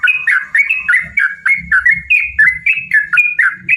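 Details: Yellow-vented bulbul (trucukan) in lively fighting song with long rapid runs (ropel panjang), used as a lure to provoke other bulbuls. Bubbly whistled notes dip and rise in quick succession, about four per second, over soft low thumps.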